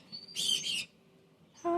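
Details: A male cockatoo says "hi" to himself: a harsh, raspy two-part utterance like a hoarse "hi," followed by a brief squawk onset; a person's voice is heard nearby.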